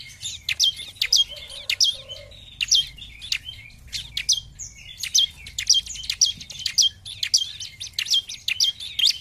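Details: Lively 'gacor' singing of a bar-winged prinia: bright high chips and downward-sweeping notes in quick bursts, a short pause midway, then a denser stretch of repeated notes.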